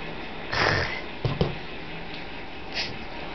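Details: Pet bird hissing: a breathy, broadband hiss lasting about half a second, then two sharp clicks and a shorter, softer hiss, with faint room noise throughout.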